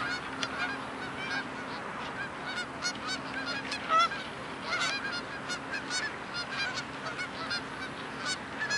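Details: Huge gaggle of geese on soft muddy ground, not yet taking flight, giving a dense, unbroken chorus of overlapping nasal honks and yelps, with many birds calling at once and no pauses throughout.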